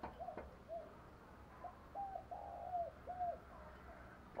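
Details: Spotted dove cooing, the song played to train doves' voices each day: faint, low, hooded coo notes in an uneven run, partly masked by constant background noise, with a few sharp clicks.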